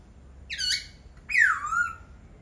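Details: Two harsh, nasal calls from a laughingthrush: a short squawk, then a longer downward-sliding whine that trails off.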